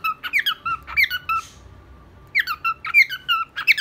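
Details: Cockatiel singing indoors in a small room, with quick squeaky whistled notes in clusters, a brief pause with a faint hiss, then more chirpy rising whistles.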